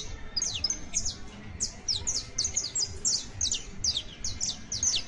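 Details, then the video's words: Saffron finch singing for canary tutoring: a steady series of short, high, downward-sliding chirps, roughly two or three each second, with soft background rumble. "EL CANTO DE ESTA AVE VA A SERVIR PARA AYUDAR A TU CANARIO BASTO CRIOLLO [Sicalis Flaveola]"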